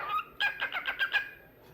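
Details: Pet cockatiel, described as talkative, singing: a short whistled note, then a quick run of five bright, clipped whistles about one every fifth of a second, each with rich overtones, over a quiet background.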